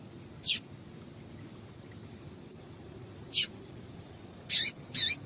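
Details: Female papa-capim seedeater piping to excite males: four short high chips, two single notes widely spaced and then a quick pair near the end, over faint steady hiss.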